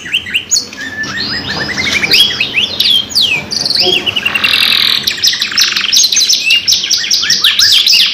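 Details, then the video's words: Canary singing a long, lively lure song in a two-in-one recording: varied rising and falling whistles, then buzzy rapid rolls and a dense run of quick high sweeps. "PANCINGAN KENARI GACOR PANJANG 2 IN 1 | CANARY SINGING"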